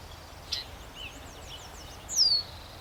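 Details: Red-winged Blackbird in the wetland of Somenos Marsh Conservation Area, Cowichan Valley, Vancouver Island, British Columbia: a brief high note, then a faint run of quick high strokes, ending in a loud, high, downward-slurred whistle over a quiet background.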